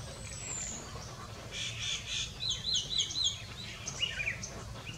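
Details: Red-rumped swallows (Cecropis daurica) at Bhakrakot village, Mohaan, Uttarakhand, India, in March 2020 give quick, twittering chirps in short bursts, high and slightly buzzy, over a low background rumble.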